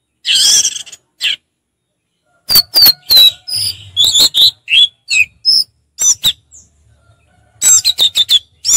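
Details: Orange-headed thrush in easygoing ngeplong style, opening with a rough burst, then a dense stream of piercing chirps and descending whistled slurs.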